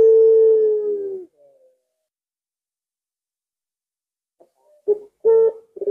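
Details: Collared dove whose arched coo prompts other doves to join in: a long, low, steady coo that fades out, then after a pause several shorter, choppy coos in quick succession.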